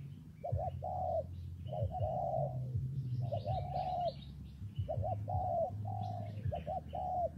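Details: During rain and wind a spotted dove repeats its phrase, a quick double coo followed by a longer soft coo, several times, with scattered chirps of other birds and a steady low rumble.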